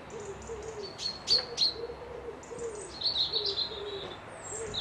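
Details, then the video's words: High sharp chirps and twittering whistles from birds at a lodge beside a loch in Dundee, layered over a soft, low, repeated cooing of a dove in the background. "Birds whistling"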